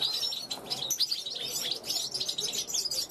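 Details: European goldfinch, a young bird from 2021, calling to wild goldfinches passing a balcony; dense high twittering and bright chirps run without pause across the clip.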